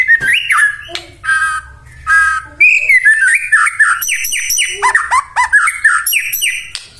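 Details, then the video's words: White-rumped shama in energetic full song, used to provoke other shamas into singing: loud varied whistles and rich harmonic notes, then a fast series of repeated downslurred whistles with high buzzy trills above. "murai batu gacor AMPUH buat PANCINGAN murai batu agar bunyi"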